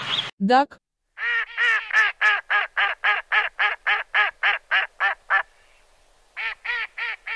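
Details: A domestic duck gives a fast run of about seventeen nasal, buzzy quacks at roughly four per second, pauses, then adds four more.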